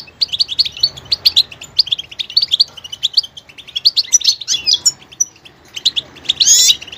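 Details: Singing goldfinch mixing rapid high twitters and chirps, ending in a louder buzzy, rasping trill.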